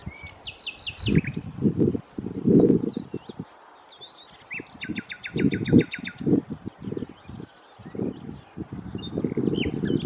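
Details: Nightingale on Challow Hill, Corfe, 4 May 2015, delivering short whistled phrases and a rapid run of sharp repeated notes, with strong gusty wind rumble throughout.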